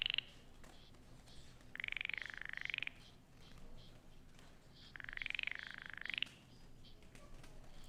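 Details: A Baillon's Crake sings at night just two or three metres from a boat, giving two dry, frog-like rattles, each about a second long and a few seconds apart, with a slight rise at the end of each.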